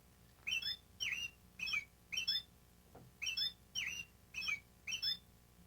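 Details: American robin (Turdus migratorius) singing about eight short caroling phrases in quick succession, each a slurred, whistled note dropping and rising, with a faint low hum behind.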